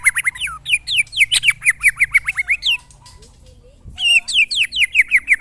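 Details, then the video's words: Kept white-rumped shama tested against neighbours' birds delivers a loud string of varied slurred whistles, a short quiet gap with a few low notes, then more bright rising and falling whistled phrases. "test mental burung murai batu bersama teman teman"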